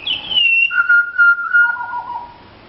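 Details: Pied Butcherbird, a native bird that visits looking for food and sings for its dinner. A clear high whistle slides down, then a long mellow mid-pitched note, then a lower fading whistle, in a melodic descending phrase.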